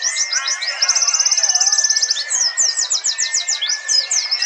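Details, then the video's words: Several white-eyes (Zosterops) sing together in fast, high, twittering trills with rapid repeated notes over a steady thin whistle-like tone; a phone-recorded compilation from a national songbird contest in Trenggalek, East Java, used to train birds. "simulasi lomba burung pleci!! untuk melatih mental pleci bahan biar cepet gacor"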